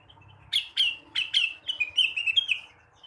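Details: Blue-winged leafbird in the morning delivering a quick song of several sharp, descending whip-like notes followed by a fast string of bright warbling whistles.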